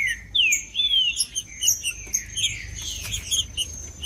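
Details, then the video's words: Macheando-style green-winged saltator singing, meant to excite other saltators into song: a quick run of clear, looping whistled phrases sliding down and up, with crowded high twittering and a constant high-pitched tone behind. "Trinca ferro cantando Para Esquentar Trinca ferro"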